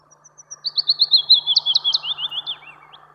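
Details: Willow warbler recorded in Kuusamo, Finland, in May 1999: a few soft high notes, then a sweet, liquid phrase that tumbles gently down the scale over two seconds, ending in a brief flourish, over a faint low hum.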